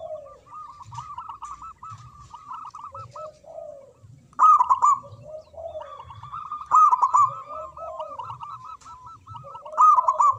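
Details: Local zebra dove singing strongly: repeated phrases of rounded, bouncing coo notes, each set off by a loud opening burst, with lower soft coos between phrases.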